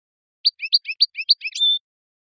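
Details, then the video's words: European goldfinch song used to train and improve the singing of captive adult and young birds, from around 2000: a quick run of about eight bright chirping notes that closes in a sustained, thin, whistled tone. "canto jilguero"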